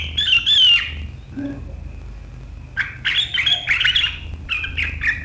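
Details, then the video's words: Sooty-headed bulbul giving sharp 'riwikan' chatter meant to make rivals join in, 7 April 2023: a loud harsh burst, a pause, then several rapid scratchy chattering phrases over low steady hum. "Suara burung KUTILANG GACOR RIWIKAN yang tajam membuat lawan ikutan ngeriwik"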